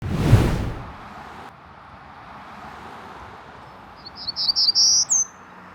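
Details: A Golden-cheeked Warbler beside a busy road just outside Austin, Texas gives a short, high, buzzy song of several quick notes climbing to a thin final note, over steady traffic rumble and an opening thump.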